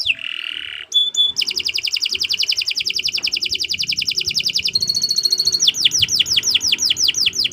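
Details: Long canary song used to tutor other birds: a buzzy phrase, sharp high notes, a long fast trill, a ringing high rattle, then repeated downslurred whistles.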